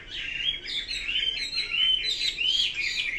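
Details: Chinese hwamei singing a stream of fluid whistled phrases, rising and falling slurs repeated roughly every half second with brighter, higher overtones, steady and strong throughout.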